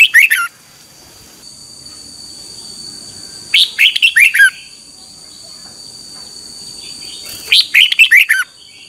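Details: Red-whiskered bulbul singing in the morning, a training recording of a caged bird's voice; short bursts of bright, rapid warbled notes falling in pitch, about 0.7 seconds each, repeated roughly every 3.5 seconds, with a steady high electronic whine behind.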